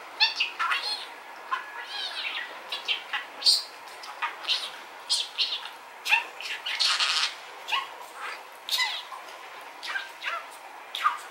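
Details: Captive male budgerigar, rainbow-coloured, chattering with a busy run of sharp chirps, clicks and warbled phrases, one brief noisy burst midway, continuous over eleven seconds, filmed from a distance by telephoto zoom.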